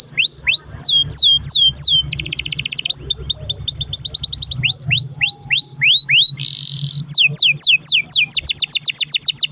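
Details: Long-rolling canary song played to get other canaries singing: varied phrases of high falling whistles, dense buzzy trills and a brief rising tone, repeated at a brisk pace over a low background hum.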